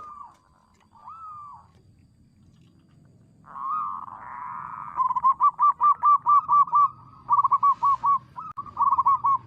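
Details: Local zebra dove with a big, loud voice, sung as a lure for trapping. Two soft arched whistles, a burred rising note, then a fast series of short, looping cooing notes broken by brief pauses.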